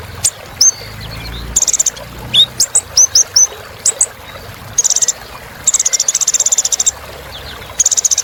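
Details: Kolibri ninja, a sunbird, singing a rich filler song meant to rouse other birds: scattered thin, high whistled notes broken by several bursts of dry, buzzy trilling.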